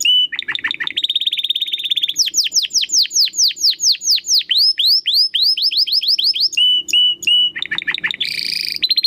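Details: Competition-training recording of an actively singing domestic canary with a crystal-clear voice: rolling trills give way to rapid descending whistled sweeps, then steady notes and a brief harsh burst, over a faint low hum.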